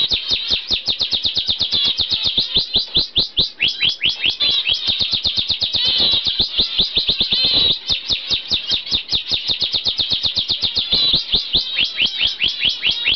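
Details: A pair of normal zebra finches, bred in the UK in 2011, keep up a fast steady stream of short nasal chirps, several each second.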